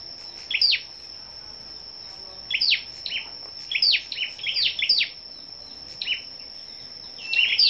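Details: Scarlet-backed flowerpecker at a morning gathering of singing, competing birds on 10/05, giving sharp, high, down-slurred ticks in short bursts every second or two over a steady high insect whine.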